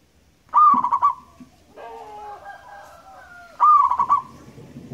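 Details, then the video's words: Wild local zebra dove in lively song, used as a lure: two rolling trilled coo phrases three seconds apart, with a softer wavering tonal call between them. "PERKUTUT gacor crosing"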